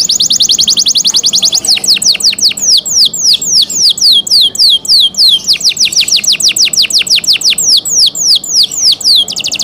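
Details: Canary in cenkok style, delivering a rapid buzzy roll that breaks into steady series of sharply falling whistled notes, repeated several times per second without pause.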